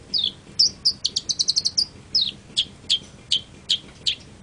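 Long-tailed shrike giving high, sharp chirps and whistled notes, with a quick rattling run of clipped notes midway, then spaced single chirps about every half second.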